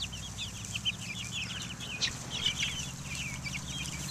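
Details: Buff Orpington, Black Australorp and Americana chicks outside in the open air, 2010: a flock peeping continuously, quick high downslurred notes tumbling over one another, a faint low hum beneath.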